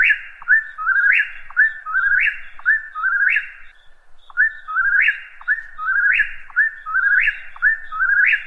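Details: Whip-poor-will song: a clear, whistled 'whip-poor-will' phrase. Each phrase is a brief clipped start, a slurred middle and an emphatic rising finish. It is repeated steadily about once a second, with a short pause partway, against a quiet background.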